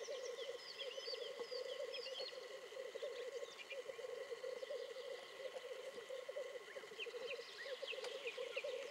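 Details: Black grouse at a spring lek in 2010 bubble and coo in a low, continuous, rolling courtship chorus, with a faint steady hum and bright chirps of small songbirds above.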